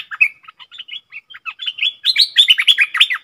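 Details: Caged decoy bulbul singing and chattering at wild birds: rapid bubbling phrases of varied whistled notes, sparse at first, then building into a louder, denser run of bright rising-falling notes, about three per second.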